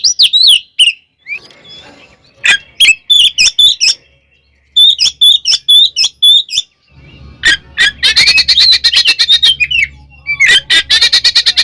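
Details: Oriental magpie-robin fighting song used to provoke other birds: sharp whistles and clicks in bursts separated by pauses, then long fast buzzy rattles over a faint low hum.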